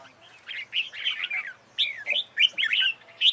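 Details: Red-whiskered bulbul singing, trained for singing competition: short bursts of bright, warbled whistled notes that rise and fall quickly, given in two phrases separated by a brief pause.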